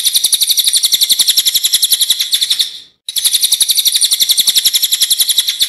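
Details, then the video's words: A Small Minivet (cililin) singing loudly and sharply in a natural recording used as a training master for songbirds pours out a fast, high rolling trill of thin chips, three or four per second, briefly broken once then resumed. "Burung Cililin gacor ngeroll full nembak suara alami"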